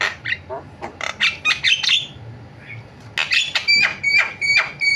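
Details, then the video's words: Javan myna in energetic varied song with clusters of harsh chattering notes, a short pause, then crisp repeated whistled notes alternating with scratchy bursts. "BURUNG JALAK KEBO SUARA VARIASI"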